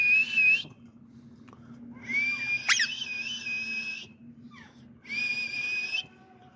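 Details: Caged pet ringneck parrot producing unique vocal sounds: three long, drawn-out nasal whistles with strong overtones, each sliding slightly upward, separated by short quiet gaps with faint background hum.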